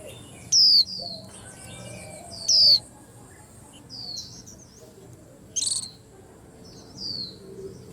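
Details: White-eye giving two strong high downslurred whistles, followed by a brief harsh burst and scattered faint chirps from other birds.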